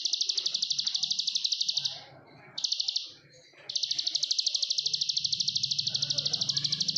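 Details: Plain prinia, locally ciblek sawah, in Indonesia, pouring out ngebren song: quick buzzy high notes in long reeling trains, interrupted by a short burst and a silent gap, with a soft low hum underneath.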